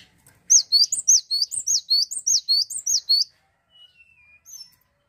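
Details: Cinereous tit singing in a lively bout: a fast run of about a dozen high, paired whistled notes, each a quick down-up flick, repeated steadily for three seconds, then a thin falling whistle and a soft chirp.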